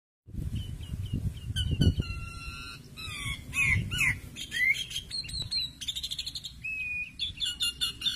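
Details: An Asian pied starling, filmed while being paired with a mate, gives a busy run of clear whistles, slurred rising notes and harsh chattering bursts, with a low rumbling background throughout.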